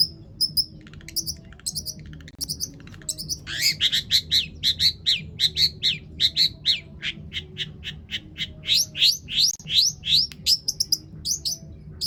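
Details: Long-tailed shrike singing a long varied song, used as a lure to get other shrikes singing: scattered high chips, then a steady run of loud, sharp, descending notes, about two or three per second.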